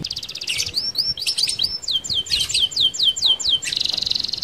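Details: Rolling canary song meant for luring other canaries to sing: quick chains of high, sharply falling whistled notes, tumbling without pause into a dense buzzy trill at the end, with steady low background rumble.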